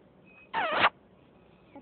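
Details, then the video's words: A fighting parrot of the Sindhi kind gives one short, rasping squawk lasting about a third of a second, with a wavering buzzy texture, followed by near silence and a faint low sound at the end. "Sindhi Speaking parrots.fighting"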